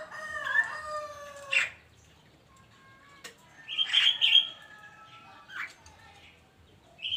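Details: Javan myna in morning song, a varied run of clear whistled slurred notes, harsh chattering bursts and sharp clicks, uneven in rhythm with pauses between phrases.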